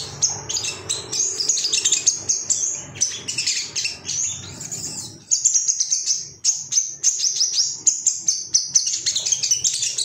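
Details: Male ruby-cheeked sunbird, emotional and seeking rivals, played to stimulate caged birds: a long, unbroken flow of high, tinny twittering and squeaks, briefly dipping before carrying on in quick pulses.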